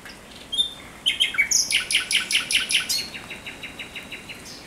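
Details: Night song of a thrush nightingale on 17 May 2023: after a few whistled notes, a long even series of loud, rhythmic knocking notes that slowly fade.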